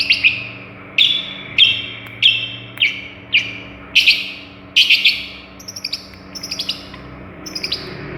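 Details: Long-tailed shrike, a cendet from Madura imitating other birds, delivering buzzy chattering bursts and then softer, quicker high twittering notes, with a low hum throughout.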